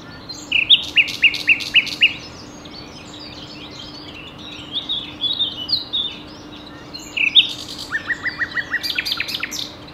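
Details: Common nightingale singing on 27 April 2019 at 11:20 in Ostravice, Czechia, filmed with a Panasonic Lumix GH5. It gives loud series of repeated clipped notes, buzzy chattering bursts, a softer warbled passage, then a fast run of rising notes over a steady low hum.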